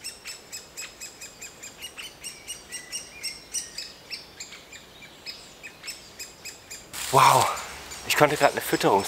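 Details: In spring, at about 30 °C, a young great spotted woodpecker in its nest hole, fed by its parents, begs constantly with high, sharp chirps two or three times a second, recorded from 10–15 m before a man talks.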